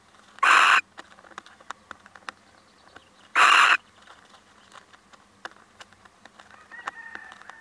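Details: Two harsh, rasping screeches about three seconds apart from a visiting male little owl, with scattered faint clicks and a soft thin tone between them.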